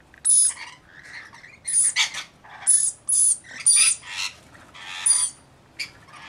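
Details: Rainbow Lorikeets from a mixed flock of about 40 caring for one baby: loud, strident screeches in separate bursts, some drawn out, others clipped, with brief pauses between.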